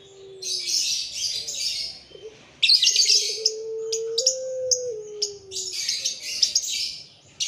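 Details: Young puter pelung doves, Barbary doves, active once full after feeding. A brief low coo opens. A longer tone steps up, holds, then slides down near the end. Bursts of high, scratchy chirping from other birds run throughout.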